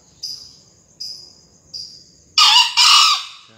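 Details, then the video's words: Green junglefowl crowing, from a 2020 crowing-contest entry: a loud, hoarse two-part crow near the end, preceded by three thin high chirps from another caller over a quiet background. "kokok ayam hutan hijau"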